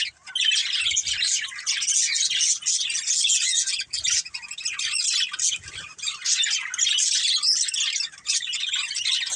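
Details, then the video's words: Pet budgies as a family group, loud nonstop chirping and squawking, a thick layer of overlapping twitters with brief dips between bursts. "Cute Budgies Chirping Sounds"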